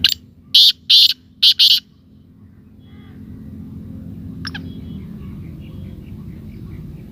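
Black francolin giving a loud, harsh, grating phrase of about five rasping notes in under two seconds, followed by quiet with low background rumble and a faint click.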